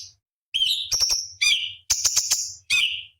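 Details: Cucak cungkok on a master recording for competition songbirds: clear whistled notes sliding downward, mixed with quick rattling ticks and brief buzzy trills, in rapid alternation.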